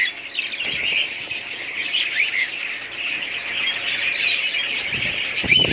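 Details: Pet budgerigars in a family flock chattering in a dense, scratchy twitter with quick warbled slurs, ending in a louder clear whistled note over a soft low thump.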